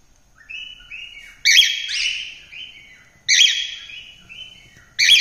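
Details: A cockatiel sings in clear whistles. Soft level notes build into three loud, bright, slurred phrases roughly every one and a half seconds.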